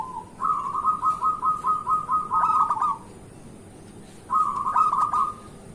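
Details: Local zebra dove song, used as a morning lure: two phrases of rapid staccato cooing notes on one steady mid pitch, the first long and speeding up near its end, the second shorter after a pause.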